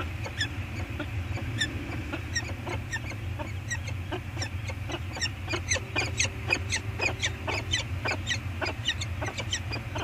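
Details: A pair of peregrine falcons calls to each other at the scrape on an Anacapa Island eyrie, September 2022, on a live camera. Dense runs of short, clipped chips arrive nearly twice a second above a constant deep rumbling background.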